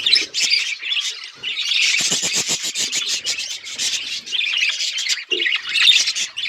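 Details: A group of budgies keeps up a busy, high-pitched twittering, with quick rattling bursts of clicks in the middle and a steady layer of overlapping chirps throughout.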